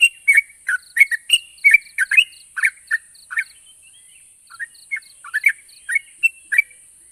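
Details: Yellow-vented bulbul song played to prompt silent, stalled birds to answer: bursts of short bubbly chirps and slurred notes, rapid and irregular, with a brief pause midway and a steady high hiss throughout.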